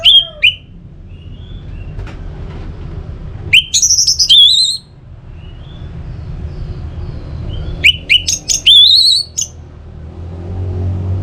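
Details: Orange-headed thrush (anis merah) singing in a recording meant to prompt singing: two short bursts of clear, high twisting whistles, several seconds apart, separated by quiet stretches with a low background rumble.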